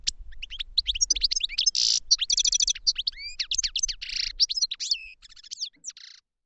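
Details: European goldfinch kept in a cage for training, delivering a dense, continuous song of fast liquid twitters, sweeping whistles and buzzy trills for about six seconds.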